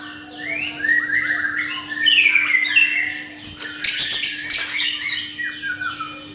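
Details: Caged bird singing; sliding whistled notes that rise and fall, overlapping in quick phrases, then a burst of sharper high chirps, with a steady low electrical hum throughout.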